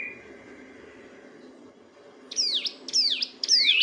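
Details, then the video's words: Sunda bush warbler (ciblek gunung) singing continuously in the gacor ngebren style, used as a master recording for training songbirds: a faint thin whistle, then, after a quiet pause, three loud, sharp, high descending sweeps in quick succession. "Masteran burung ciblek gunung (cigun) gacor ngebren"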